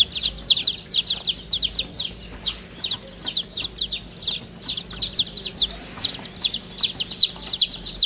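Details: Several baby chicks peep together, their high, falling chirps overlapping into a busy, uneven chorus.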